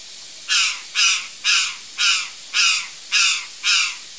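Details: Curl-crested jay giving a run of seven loud, scratchy caws at a brisk, fairly even pace, about one every half second, each note broad and harsh; no other sounds stand out.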